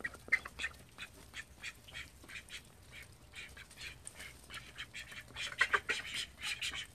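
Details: Domestic call ducks, thirteen living in one house, give rapid strings of brief, harsh quacks, several birds calling over each other and growing louder and busier toward the end.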